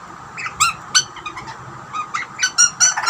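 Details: Pair of Australian butcherbirds, one young and one older, calling while being fed: clear piping harmonic notes in uneven clusters, some upslurred, against a quiet background.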